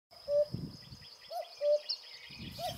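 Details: Common cuckoo, a migrant about to leave for Africa, singing its repetitive song: two clear low notes, the first slightly higher, repeated about every 1.3 seconds, with faint higher bird calls and a steady high whine behind.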